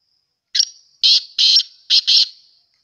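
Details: Black francolin, the black or sindhi teetar, giving its grating call: a brief opening note, then four loud, harsh, buzzy notes, the last two close together.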